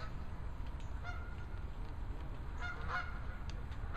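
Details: Geese in a gaggle call with scattered brief honks, a few close together near the end, against constant loud low-pitched background rumble.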